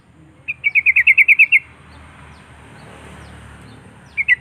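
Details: Sooty-headed bulbul song meant to call up rival birds: a quick burst of about eight bright, evenly spaced chirping notes lasting a second, a quiet pause, then the start of another burst.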